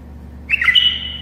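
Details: Tame bulbul singing as a model for other bulbuls learning to sing; one quick rich warbled phrase ending in a drawn-out steady whistle, against a low background hum.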